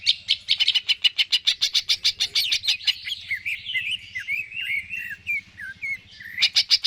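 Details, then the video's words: Greater green leafbird song, used to stimulate other birds to sing: a fast run of sharp repeated chips, then a varied stretch of slurred, falling whistles, ending with renewed chipping; faint low hum underneath. "PANCINGAN CUCAK IJO GACOR, AMPUH BURUNG MAKIN SEMANGAT UNTUK BUNYI DAN GACOR"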